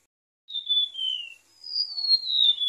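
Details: Golden-bellied gerygone, recorded as a bird lure, gives two drawn-out, pure whistles. The first falls gently and the second, longer one starts higher and slides slowly down.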